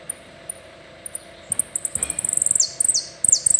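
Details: High, isolated chips from a saffron finch quicken into a pulsing trill broken by falling buzzy slides, part of a complete song of the type called "el rollo".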